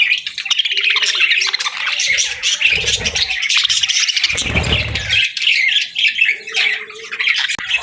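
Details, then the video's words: Loud continuous budgerigar chatter in the morning: a rich mix of warbles, squeaks and harsh notes, with a low rumbling noise in the middle. "Birds Chirping Sounds 🌅🐦 Budgie Morning Melodies for a Happy Start!"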